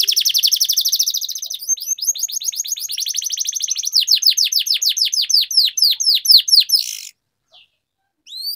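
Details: Canary song for prompting other canaries to sing: a long unbroken run of rapid high trills, downward-slurring notes repeated about four times a second, ending in a buzzy note, brief silence and a last whistle.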